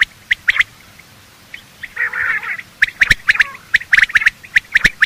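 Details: Morning call of male and female quail for hunting use: a few scattered clicks, then a rough buzzy burst, followed by quick squawky notes and snapping clicks.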